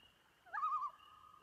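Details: On an Adirondack lake, a common loon utters a brief wavering, quavering wail, a short rolling tremolo held at one pitch, over a steady faint high insect hum.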